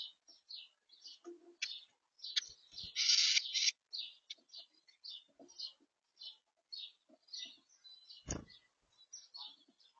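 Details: Blue tit feeding at a garden bird feeder: quick, high, thin chirps repeated several times a second, with a brief loud rustling burst early on and a sharp knock near the end.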